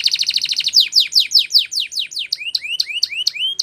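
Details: Timbrado canary song for training young singers: rapid stacked trill notes slow into steep downward sweeps, then shift to rising, hooked whistles repeated about every quarter second.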